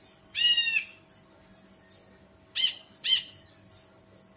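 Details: Ashy bulbul giving loud, bright, slurred whistled notes: one longer warbled phrase, then two sharp clipped notes about half a second apart, with softer thin whistles between, against a quiet background.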